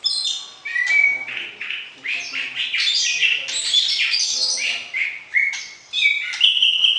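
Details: White-rumped shama, caged, singing to arouse the opposite sex before pairing for breeding; a dense, rich run of varied whistles, rapid chattering notes and sharp trills, mostly high-pitched, with brief pauses between bursts.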